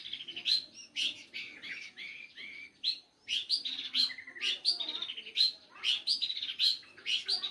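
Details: Long-tailed shrike singing in full 'gacor' style, described as melodious and versatile: a dense, fast run of varied chirps, trills and whistled phrases, repeated in bursts about twice a second, with a faint low murmur underneath.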